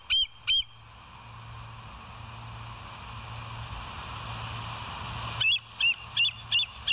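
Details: Bald eagles at the West End nest on 20 July 2023 at 05:04, caught on a live nest camera: two high piping notes open, steady broadband hiss fills a long gap, then five shrill repeated notes return at the end.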